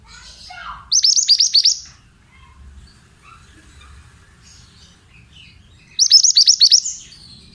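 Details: Pied bushchat therapy song meant to prompt untrained birds to answer: two separate bursts of six or seven fast, high, falling whistles about five seconds apart, with faint scattered twitters between.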